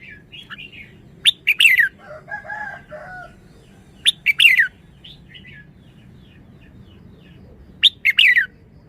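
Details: Red-whiskered bulbul song: loud, clipped chirped phrases with quick descending whistled tails, repeated at irregular intervals several seconds apart, with quieter mellow warbling notes between them and a steady low rumble behind.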